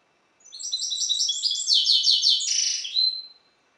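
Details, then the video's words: Goldfinch hybrid bred in captivity from a Balkan goldfinch, Carduelis carduelis balcanica, delivering a rapid run of high chattering notes that quickens midway, closing with a harsh buzzy descending note and a thin whistled tail. "Singing the bastard Carduelis carduelis. Balcanika ( Śpiew bastarda po C.c. Balcanika )"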